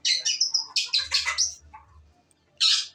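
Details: Female long-tailed shrike gives a rapid run of shrill, harsh chattering notes, falls briefly quiet, then adds one more loud scratchy burst; faint low hum in the background.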